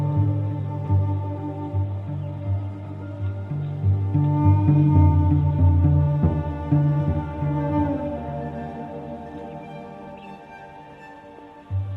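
Low, sustained bowed-string music with cello-like tones fills the whole passage, and no animal calls can be heard.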